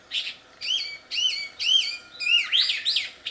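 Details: Wild wambi delivering loud, clear whistled phrases, each a high note sliding down and holding, repeated about twice a second, ending in faster twisting slurs.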